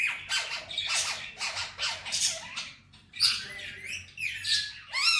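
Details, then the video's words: Pet male Indian ringneck parrot talking: a rhythmic string of rasping syllables about two per second, a brief pause, then brighter phrases ending in a rising, curved squeal. "Talking parrot real voice, and saying Mitthu bete || Miya Mithu"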